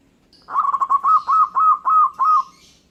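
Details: Local zebra dove singing while other birds answer: a two-second run of rapid, rounded cooing notes at one steady mid pitch, the first short and stuttered, the later ones longer and swelling, with faint higher bird calls behind.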